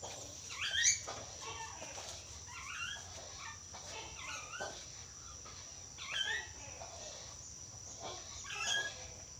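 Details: Yellow-crested cockatoo, described as clever at talking, producing short raspy speech-like phrases with sliding pitch in bursts every second or two, over a steady high electrical whine.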